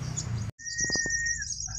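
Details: Sunbird in a late-afternoon singing contest, around four o'clock: after a brief cut, a sustained high thin whistle rides over a lower steady tone, with a few low knocks.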